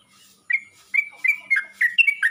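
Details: Yellow-vented bulbul calling to other bulbuls: a few short, slurred chirps spaced about half a second apart, each a bright note bending down or up, with quiet gaps between.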